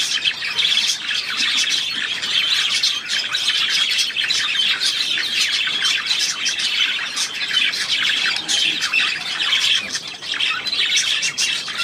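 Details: Budgerigar on 3 April 2017 producing an unbroken, busy warble of high chirps, clicks and buzzy squeaks for about twelve seconds, with no other sounds.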